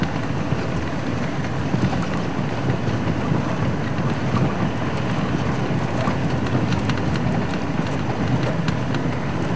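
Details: Steady wind buffeting and low engine rumble during a sunset drive, with no animal voices.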